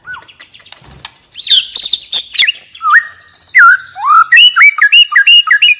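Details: Relaxed ngeplong song of a white-rumped shama: a jumble of high chips, then a steady string of looping mellow whistles repeated about once every third of a second.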